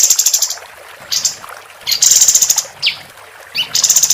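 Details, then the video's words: Female capped white-eye in full, persistent song, recorded as a tutor for contest birds: very high, dry buzzy rattles of rapidly repeated notes, broken by short downslurred chips, in bursts roughly every second. "Kapas Tembak Betina Gacor"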